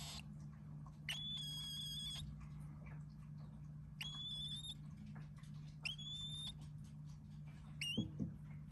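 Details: Sleeping cockatiel chick snoring: soft, thin, level whistled notes with faint overtones, each about a second long or shorter, recurring every couple of seconds over a steady low room hum.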